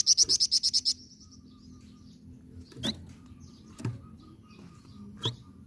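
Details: Flamboyan singing actively as a tutor recording for other birds, in the nyecret ngerol style: a one-second burst of about eight rapid, high, buzzy pulses, then a thin fading whistle, with scattered clicks and knocks afterward.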